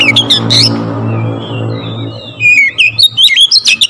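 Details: Oriental magpie-robin singing loudly to stir rival magpie-robins. A few sharp notes open over a loud low hum, then a quick series of high, looping whistles closes the song.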